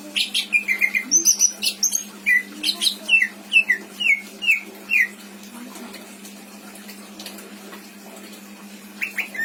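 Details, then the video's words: A pet greater green leafbird, kept in Indramayu, sings a fill-in style song rich in imitated phrases: loud clear whistled notes sliding downward, repeated quickly for five seconds, then near silence with a faint hiss and a last brief whistle. "Burung cucak ijo isian mantap!!!"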